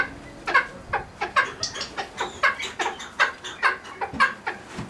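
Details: Captive cheer pheasant at a pheasant breeding farm: a run of short, harsh, clucking notes, each sharp and broadband, repeated a little more than once a second with uneven spacing.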